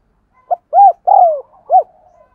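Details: A single 'thúc gù' coo phrase from a spotted dove, as played to train decoys and provoke wild doves into cooing. A quick low note comes first, then a rounded arched coo, a longer drawn-out falling coo and one closing arched note, with faint trailing murmurs.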